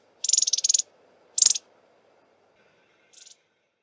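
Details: Shy long-billed crombec (Sylvietta rufescens) singing while foraging in a very thick bush: a high, dry trill of about ten rapid notes, then a short burst and a fainter trill, over a low background murmur; a warning call ends the recording.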